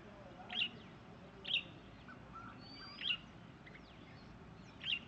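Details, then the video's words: A Red-whiskered Bulbul gives four short, bright calls, each a quick two-part chirp, spaced one to two seconds apart over a soft background hiss. "Call of a Red Whiskered Bulbul"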